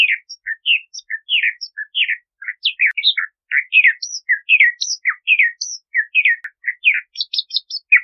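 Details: Varied, rapid song of a Bahama mockingbird, with short warbled and chirped phrases following one another almost without break. Occasional higher whistled notes appear, and the phrases cluster toward the end.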